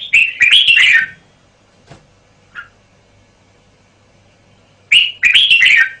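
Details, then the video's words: Red-whiskered bulbul, a caged male, singing short, loud, bubbling warbled phrases of several quick notes, two bursts about four seconds apart with faint clicks between. "เสียงนกกรงหัวจุก บ่าว"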